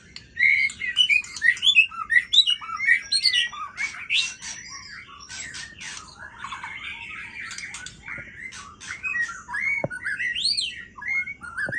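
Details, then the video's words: Aceh white-rumped shama singing at full voice, unloading its varied repertoire of learned fill-in phrases: loud, rich whistles and chattering notes in quick, shifting sequences, with sharp clicks between. "Murai Aceh Habis Suara Bongkar Isian"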